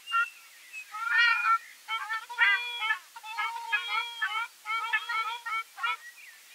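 Ruddy shelducks give loud, nasal, goose-like honks in quick bursts of several notes, repeated through the clip with short pauses between.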